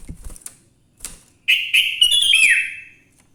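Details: Morning song of a sooty-headed bulbul, played to coax other bulbuls into singing: a few soft taps and clicks, then a rich warbled whistled phrase that swells and slurs downward before fading.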